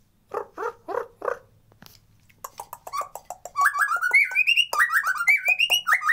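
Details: White-rumped shama song used as a lure to make lazy birds sing and come into breeding condition, natural sound without effects: four harsh low chattering notes, then a quick run of clear whistled phrases climbing higher in pitch.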